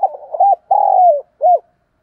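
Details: Morning calling of a decoy spotted dove, mellow low-pitched cooing: a rolling burry start, a short hooted note, a long sliding coo that falls away, and a clipped closing note after a pause.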